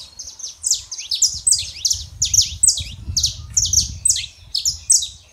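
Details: Male and female Saffron finch singing for a quiet canary to copy; rapid high, down-slurred chirps in regular clusters over a steady low rumble.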